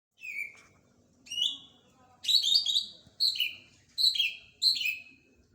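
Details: Greater green leafbird singing a run of clear, high whistled notes, each sliding downward, delivered in separate bursts with short pauses, some phrases doubled and overlapping, over a quiet background.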